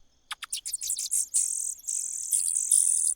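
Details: Common cuckoo chick begging in a host nest: rapid high clicks speed up into a continuous shrill, wheezy, rasping hiss that holds for over a second.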